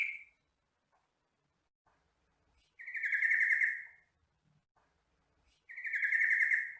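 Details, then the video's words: Captive-bird training recording of a yellow-vented bulbul: two long, rich warbled phrases, each about a second, spaced roughly three seconds apart, with the tail of an earlier phrase at the start. "MASTERAN BURUNG TRUCUKAN (Jogjog)"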